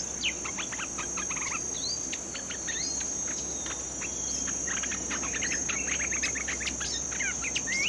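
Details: Bulbul, newly caught and being trained, keeps up a dense stream of short sharp chirps and whistled slurs from start to end, with an unbroken high insect whine behind.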